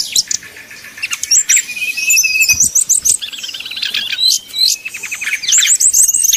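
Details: Fighting-style song of a Sumatran red-crowned leafbird from a contest setting, a busy high-pitched stream of quick whistled notes, chattering trills and downward slurs, louder in the second half.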